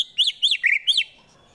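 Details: White-rumped shama in Wonosobo, Central Java, song used to rile up rivals for fighting: four clear, arched whistled notes in quick succession, each rising then falling, followed by silence.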